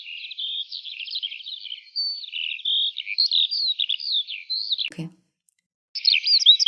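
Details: Eurasian skylark (Alauda arvensis) morning song: a fast, unbroken stream of high, liquid warbles and trills that breaks off at a click and a second of silence, then resumes.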